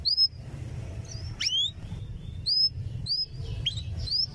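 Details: Canary song meant to teach young canaries: short high whistled notes, some rising and some sweeping down, spaced irregularly about every half second, with a constant low hum underneath.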